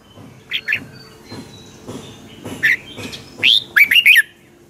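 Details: Caged Red-whiskered Bulbul of the Pa La-u line from Thailand in 'double song' style. Soft scattered notes lead into louder whistled phrases near the end: a rising note, then a quick run of four to five warbled notes, against faint background hiss.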